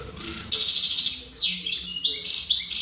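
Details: European goldfinch, described as a wild bird, singing a distinctive melody: after a brief quiet start, a fast, bright run of high twittering notes, buzzy trills and quick downward-sweeping whistles with no other clear sounds.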